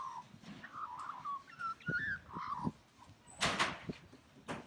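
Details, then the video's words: Australian magpie singing a melodious call: a short run of warbled, fluty notes that slide and wobble between low and middle pitch, with soft thumps underneath and a sharp broadband click near the end. "Australian magpie's melodious call"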